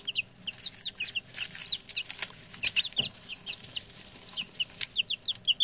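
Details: Six young male chicks that have just arrived and settled in, chattering: steady stream of high, thin, falling peeps, often paired, with a few rustling thumps.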